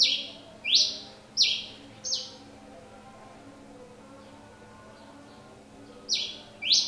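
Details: Pileated finch song: three loud rasping down-swept notes, a pause of several seconds with faint soft notes, then two more harsh buzzy notes close together.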